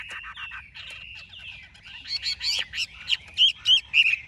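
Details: Large caged Chinese hwamei kept for sale in Vietnam, starting with soft chattering whistles, then building into loud, sharp whistled notes repeated about three times a second.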